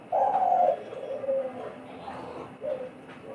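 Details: One of two kept decoy doves answering each other in a calling contest in Bangladesh: a single strong, husky held coo, then softer trailing notes and a short faint coo near the end.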